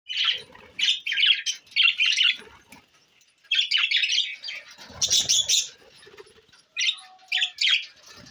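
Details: Budgies recorded on June 20, 2024, giving bursts of high, scratchy warbling chatter in short clumps, broken by brief pauses, with a faint low whistle near the end.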